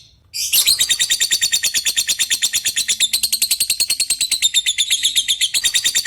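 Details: Lovebird giving a long 'ngetik' typing call to summon an opponent, leading into long 'ngekek' chatter: after a brief silence, an unbroken, very rapid, high buzzy trill of pulses, about eight per second, running steadily to the end.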